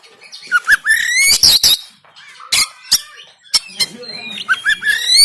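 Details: Harsh 'tembakan kasar' song of an oriental magpie-robin from Banten, captured by Android phone, meant to push idle birds into singing and opening their tails: slurred upward whistles broken by loud scratchy bursts and scattered sharp clicks.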